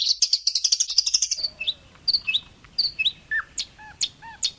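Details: Oriental white-eye song used to tutor other birds: quick high trilled chirps opening the phrase, then spaced thin whistled notes and short chirps, some dropping in pitch.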